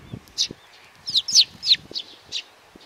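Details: Young sparrow uttering a short run of loud, slurred high chirps, closely spaced, with faint low knocks and rustles in the background.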